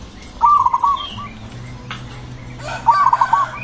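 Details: Aggressive zebra dove (perkutut) giving its loud, soft-toned song in ngepat rhythm, meant to draw other zebra doves into singing; two trilled phrases of rapid cooing notes, separated by a low hum and a brief rustle.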